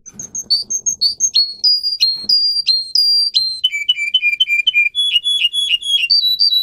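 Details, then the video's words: Russian canary bred for singing, song for training other canaries: sweet whistled phrases of repeated notes, each group pitched lower than the last before climbing again, with faint low clicks behind. "Kanarya Sesi, Kanarya Ötüşü eğitimi, Corona Canary kanarya ötüşü"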